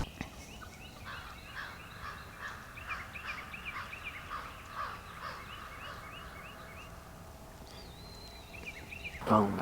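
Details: A Florida Osceola wild turkey gobbles during a spring hunt as two gobblers work a decoy: rapid, gurgling bursts repeated over several seconds, faint against steady outdoor noise, with a brief thin whistle near the end.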